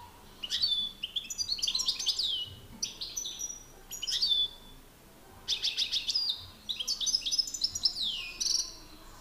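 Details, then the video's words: Two European goldfinches in a song battle, an experienced master singer against an excited rival. They give quick bursts of bright, tinkling twitters and liquid trills, broken by brief pauses, as they sing against each other. "Battle de chardonnerets"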